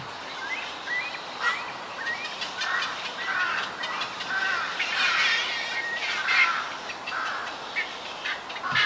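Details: Juvenile black-crowned night heron in a cormorant and heron colony on a bird island where Yokojukken Shinsui Park meets Sendaiborigawa Park, 1 June 2023; harsh, noisy calls burst out every second or so, with thin whistles from other birds.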